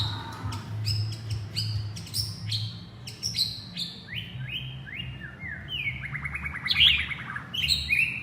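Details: White-rumped shama calling its partner: a rich run of clear whistled notes, some stepping upward and some sliding, with sharp clicks and a fast trill near the end, over a steady low hum.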